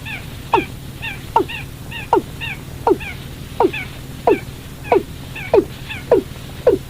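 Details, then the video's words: Watercock calling, recorded as a lure for catching birds at night: a steady run of about ten quick descending notes, evenly spaced under a second apart, each followed by small higher chirps, low hum beneath. "tiếng chim cúm núm"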